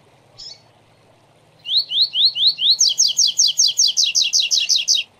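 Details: A captive Double-collared seedeater gives a high brief note, then five rising slurred whistles followed by a fast run of bright, buzzy doubled notes, about three per second.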